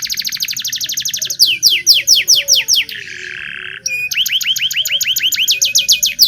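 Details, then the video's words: Local canary in vigorous song, a training lure for young canaries: fast trill, then loud descending whistled notes repeated about twice a second, a harsh buzzy section, and renewed quick sweeping notes. "Suara Burung kenari lokal super gacor bagus untuk pancingan kenari belajar bunyi"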